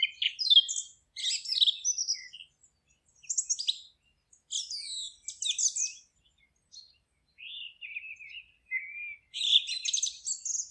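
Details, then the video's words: Several wild birds singing in a forest: bursts of high chirps and trills in short phrases separated by brief pauses, with a lower descending warble near the end; no other sounds. "Forest relaxing sounds of singing birds"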